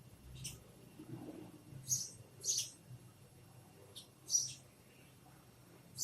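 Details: A sparrow gives varied noises: scattered bright, high-pitched chirps, single or paired, spaced irregularly over several seconds against a quiet, low rumbling background.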